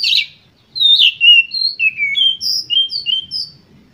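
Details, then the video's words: Oriental magpie-robin in full emotional song, meant to provoke other birds: a rapid string of clear whistled notes, each sliding or dipping, opening with a harsh rasp, delivered almost without pause. "Pancingan Kacer Gacor Full Emosi"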